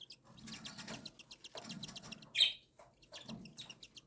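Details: Newly hatched and week-old cockatiel chicks beg while fed by their mother: bursts of rapid, rasping, pulsed chatter, with one sharp squeak standing out midway, over soft low shuffling.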